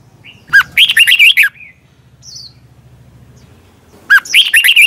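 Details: Red-whiskered bulbul singing competitively as a training lure: two lively phrases of rising and falling warbles, each under a second, with a low steady hum in the background during the gap.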